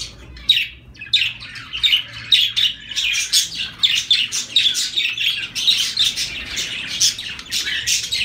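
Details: Zebra finches calling rapidly, more than one beep per second: a busy stream of short, nasal, honking chirps from several birds.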